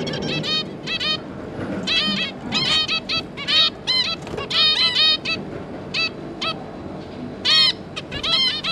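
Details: Zebra finches, a pair of parents and their three juvenile young, 5 August 2022: repeated short, nasal, trumpet-like calls in clusters, several birds calling in quick succession with brief pauses between bursts.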